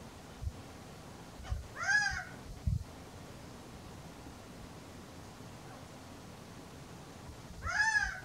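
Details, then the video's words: Male Gambel's quail calling on a warm, sunny April afternoon: two loud, nasal, arched calls with rich harmonics about six seconds apart, with a few low thumps in between over quiet background hiss. "Gambel's quail call"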